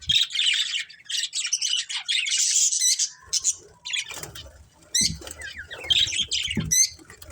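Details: A family of colourful pet budgies chirping; long stretches of high buzzy warbling give way to sharp rising chirps and clicks, with occasional low knocks in the background.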